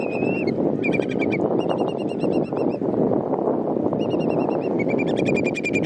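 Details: Wild Eurasian whimbrel, a wader, giving rapid rippling series of high whistled notes, several bursts of five to seven notes each, over loud continuous roaring wind or surf.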